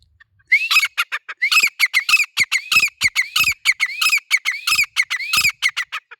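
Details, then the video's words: Grey francolin (teetar) in a long, loud calling run: rising squealing notes alternate with rapid, harsh, rhythmic syllables, repeated without a break for several seconds. "Teetar ki awaaz/ Teetar ki boli/ Teetar voice/ Teetar sound"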